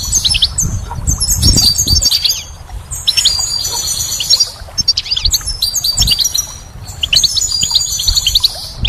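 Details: Goldfinch song in spring, delivered in three long bursts of quick, bright twittering and tinkling trills separated by short gaps; low rumbling noise underneath.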